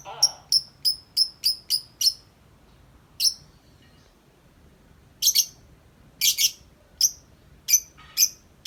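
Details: Out of the cage, a tame lovebird gives a quick row of six sharp chirps, falls silent, then resumes with a long string of shrill chirps and doubled notes.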